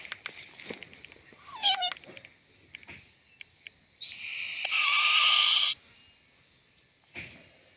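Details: Owlet dancing: a short falling cry, then a loud harsh hissing screech lasting nearly two seconds, with faint clicks and a brief rasp near the end.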